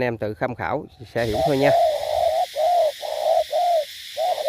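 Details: Spotted dove used as a decoy bird in Cà Mau, Vietnam, cooing low and soft: a short note then a longer hollow note, repeated several times after a man's voice briefly talks at the start.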